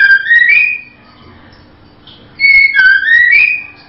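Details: Female white-rumped shama (murai batu betina) giving two short runs of clear, sliding whistles, each phrase rising at its end, with a pause of over a second between them in a quiet setting.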